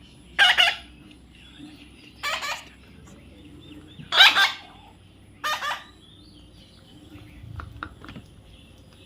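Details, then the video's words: Baby parrot being tamed, giving four harsh, broadband squawks about two seconds apart, each short and raspy, with quiet gaps and faint room noise between them. "natural funny parrot sound"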